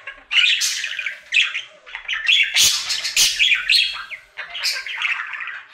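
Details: Indoor male budgie performing his daily happy singing: bursts of scratchy warbling and buzzy chirps broken by loud sharp clicks and squawks, then more lively chatter to the end.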